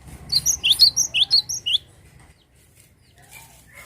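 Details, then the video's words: Cinereous tit in full song, recorded to get untrained birds singing: a rapid volley of eight or so high, upswept chirps over about a second and a half, then quiet with a couple of faint distant squeaks. "glatik batu gacor untuk pancing bunyi burung bahan"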